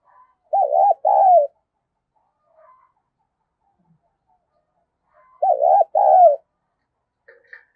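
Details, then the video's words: Female spotted dove cooing to excite males, giving two loud, short phrases of rapid looped coos about five seconds apart. Near silence between them. "cu mái gáy kích trống hiệu quả, trống nghe rất phấn khích và nổi nhanh"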